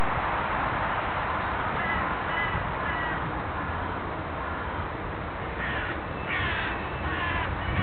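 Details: Crows calling in the Bois de Boulogne, Paris, with hoarse, harsh caws clustered near the end over a steady roar of distant traffic.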